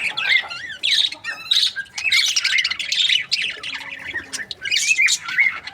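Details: Chirping from budgerigar breeding pairs, a busy mix of harsh squawks, buzzy chatter and short bright whistles in quick irregular bursts, multiple birds overlapping throughout.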